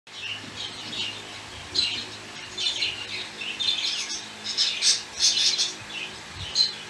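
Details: Budgerigars playing in their cage chatter with rapid, scratchy warbles, squawks and high clicking chirps.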